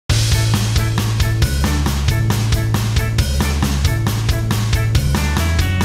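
Loud rock music with driving drums, bass and guitar plays throughout, with no animal voice heard.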